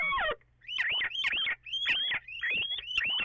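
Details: Little owl calls recorded 14 April after 04:56, perhaps two birds together, echoing: an opening harmonic wail, then dense bursts of rising, yelping notes in roughly one-second groups.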